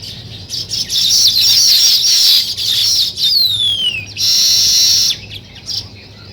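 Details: Weaver birds building a nest: loud bursts of high twittering chatter, then a pair of clear whistles sliding steeply downward, another chattering burst, and fading quieter calls at the close.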